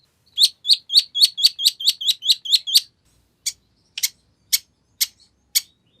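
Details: Long-tailed shrike song meant to draw an answer from other shrikes: a rapid series of about ten bright chirps, then a pause and a few harsher scratchy notes spaced half a second apart.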